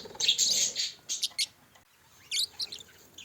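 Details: Pet budgerigars kept as a group: a burst of dense high chatter followed by a few separate sharp chirps, a brief lull, then more clipped high notes.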